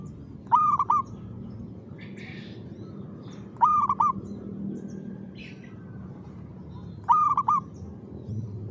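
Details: Zebra dove (perkutut) in active rhythmic song: three short rolling coo phrases about three and a half seconds apart, with faint chirps of other birds between them.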